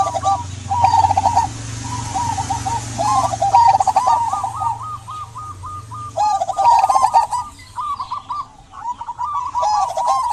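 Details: Local zebra dove singing steadily, recorded to prompt quiet doves to sing: nearly continuous chains of rolling coo notes with slight pitch steps, a low hum in the background early on and scattered high bird chirps.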